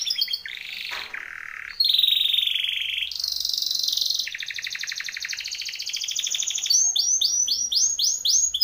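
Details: Timbrado canary singing a training song through varied tours: a low buzzy phrase, sustained whistled notes, a long rapid rattling trill, then a run of quick falling sweeps, all loud and clear.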